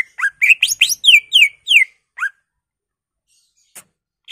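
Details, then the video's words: Varied song of a greater green leafbird used to trigger other leafbirds: a fast tumble of rising and falling whistled notes in the first two seconds, then a lone note and faint distant clicks. "CARA CUCAK IJO BONGKAR ISIAN/ Pancingan Cucak Ijo Merangsang Cucak ijo lain"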